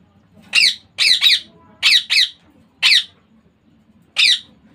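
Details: Indian ringneck parakeet chick producing short raspy squawks, mostly in close pairs, seven in all, separated by brief silences.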